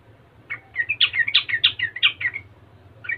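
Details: Yellow-vented bulbul singing a lively song that provokes other bulbuls into answering and singing. A fast, bubbling run of loud, liquid chirps and warbled notes lasts about two seconds, ends in one final note, over faint low hum.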